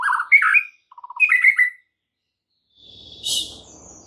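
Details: White-rumped shama provoking song: brief warbled phrases with a short low rattle, followed by silence and then a faint hiss.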